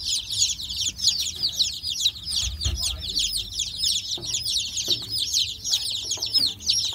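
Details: Newly hatched chicks of a backyard chicken flock cheep constantly in a crowded chorus, shrill downslurred peeps tumbling over one another, with a few soft knocks and light background hum.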